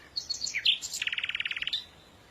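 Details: Bird gives a brief warble of high whistled notes, then a rapid even trill of about fifteen quick chirps lasting under a second.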